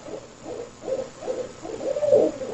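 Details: An owl, possibly more than one and possibly mating, calls from an Alabama yard, unseen. It gives a run of soft, low, muffled hoots, roughly two each second, growing a little louder toward the end.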